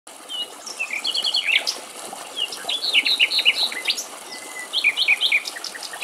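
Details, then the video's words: A male European stonechat (Saxicola rubicola) in Greek countryside sings short, scratchy, high-pitched warbled phrases in three bursts, with a brief thin whistle between them. "Ευρωπαϊκός Μαυρολαίμης - Αηδόνια Κελάηδημα - European stonechat bird"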